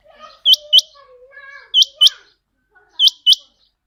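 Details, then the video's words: Chinga quail call, used in quail hunting: three pairs of sharp, clipped high notes, each pair a quick double stroke, spaced about 1.3 seconds apart, over faint lower warbling background sounds. "Chinga quail vioce /چنگا بٹیر کی صاف آواز"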